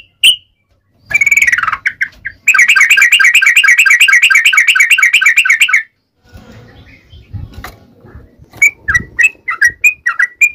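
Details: Sooty-headed bulbul calling to its companions: a few whistled notes, then a long, fast trill of rapidly repeated rising and falling notes for about three seconds, a softer pause, and then scattered whistled phrases.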